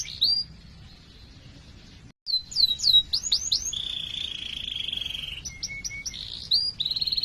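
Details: Canary singing a long trilling song meant to prompt other canaries to sing: sharp high chirps, then a steady buzzy trill held for about two seconds, followed by rapid repeated high notes; a low hum runs underneath.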